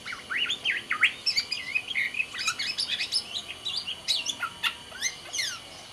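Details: Black-naped oriole of Sumbawa, kept as a songbird, singing energetically: a string of looping, swooping whistled notes and bright chirps, then quick staccato chips, loud and nearly continuous.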